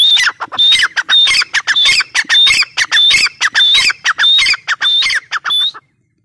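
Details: Grey francolin, or teetar, in a sustained run of loud, harsh squawking notes delivered rapidly and rhythmically, ending abruptly in silence.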